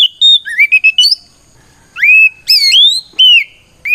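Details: Oriental magpie-robin in fighting song, 'ngeplong' style, provoking rivals to answer. Quick twittering chirps at the start, a second of quiet, then loud rising whistles that level into sustained notes.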